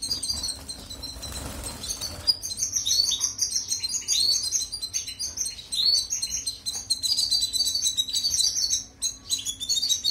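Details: Song of a European goldfinch used to train canaries, a continuous high twittering of rapid trills and buzzy chips, opening with a short burst of broadband noise and a steady low hum throughout.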